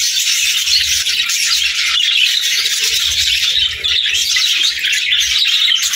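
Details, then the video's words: Parakeets singing in a flock, a steady, busy wall of twittering, squeaky warbles with no pauses, plus faint low rumbling beneath. "Parakeet Videos | Beautiful Birds Singing"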